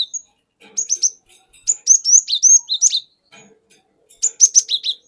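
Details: Forest-caught cinereous tit lure song: a brisk series of high, sharply rising whistled notes, then a fast chirping flourish after a short pause.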